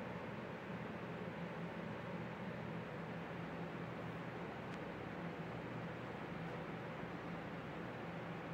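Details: Steady broadband rumble and hiss like a running fan or distant vehicle throughout, with no animal calls.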